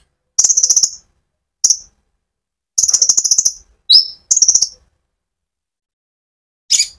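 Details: A konin sunbird's lively rolling song meant to excite other birds into singing: fast, very high ticking trills and lone sharp rising notes, each burst under a second, separated by silences.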